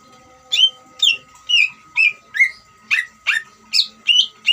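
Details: Greater green leafbird singing in the ngeriwik style, used to provoke other leafbirds into singing: a run of sharp, high, downward-sweeping whistled notes about twice a second over a steady faint electrical hum.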